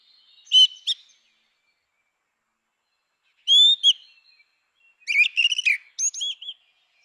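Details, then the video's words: Grey-winged blackbird song recorded in natural habitat: short bright whistles, then a sustained fluty phrase, and finally a fast run of chattering, warbled notes with high overtones. "Canção do melro com asas cinzentas! Som de melro com asas cinzentas!"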